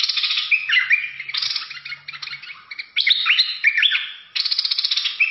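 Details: Bulbul with an aggressive singing style, pouring out loud chattering phrases with sliding whistled notes, broken by short pauses and a faint low hum.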